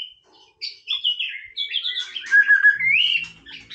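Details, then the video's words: White-rumped shama singing at leisure: a lone whistle, then a flowing run of clear slurred whistles and warbles, ending in a rising whistle. A faint low hum is heard toward the end. "นกกางเขนดงร้องเล่น Shama Bird"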